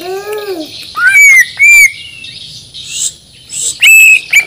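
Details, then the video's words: White-rumped shama of Banjar, Borneo origin, a caged contest bird, uttering a low arched whistle followed by several clear, slightly rising whistled notes separated by short pauses. "Murai Batu Gacor Full Isian || Murai Borneo Full Emosi"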